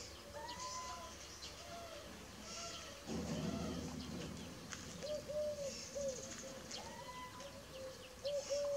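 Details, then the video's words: Little owl (Athene noctua) giving short, arched, mewing notes in quick succession, some higher and more drawn out, with a brief rustling burst partway through. "Cucuveaua(Athene noctua) sunet"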